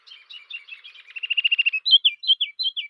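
A Ruby-crowned Kinglet sings: thin, very high opening notes, then a fast run of about eight repeated chips, ending in loud, rolling, downslurred phrases.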